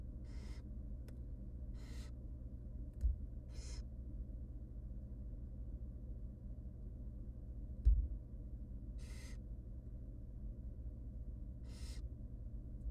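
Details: Hungry wild barn owl nestlings, three tiny chicks being fed by their mother in a nest box, repeat rough hissing snores roughly every one to three seconds, six bursts in all, with two soft knocks and a faint hum.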